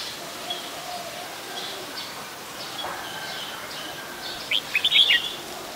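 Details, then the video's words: An adult Red-whiskered Bulbul at Ubon Ratchathani, Thailand, 16 December 2020, delivers a brief run of quick, sweet whistled phrases late in the recording against a constant hiss with faint far-off chirps. "นกปรอดหัวโขน (นกกรงหัวจุก, ນົກຫົວຈຸກ , ນົກຂວກ) /Red-whiskered Bulbul (Pycnonotus jocosus)"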